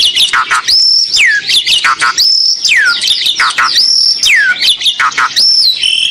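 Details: Siren-like song of an Asian pied starling: high whistled notes that hold level, then plunge in long falling slurs, repeated roughly every one and a half seconds between bursts of scratchy chatter.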